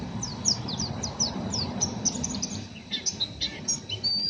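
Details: Rough 'ngeriwik' chattering of a raw, untrained oriental white-eye: quick high downslurred chirps in rapid bursts, then a few louder separated twitters and a short thin whistle over low background hum.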